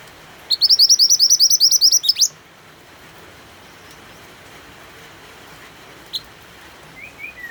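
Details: White-eye (mantenan) in full song, set against rain sounds to encourage other birds: a quick burst of about fourteen high, snappy upslurred chirps lasting under two seconds, then quiet with one isolated click and faint thin notes later.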